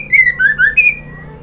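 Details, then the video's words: A female white-rumped shama calls to the male with three short, clear whistled notes that slur up and down in quick succession. "SUARA MURAI BATU BETINA memanggil JANTAN"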